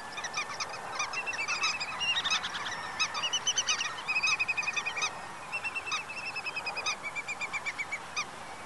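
Black-tailed godwit giving quick runs of nasal, rhythmic notes, repeated several times a second in overlapping bursts, over steady background hiss.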